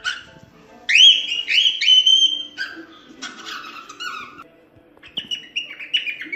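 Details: Cockatiel song for training cockatiels to sing: long level whistles, then sliding notes that drop in pitch, a pause, and a softer falling whistled phrase.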